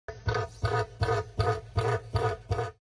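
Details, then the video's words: A Southern Cassowary, called the most dangerous bird, gives six deep, rumbling pulses, about two each second, low and booming with a rough, throaty edge. "This is a cassowary, the most dangerous bird. This is what it sounds like."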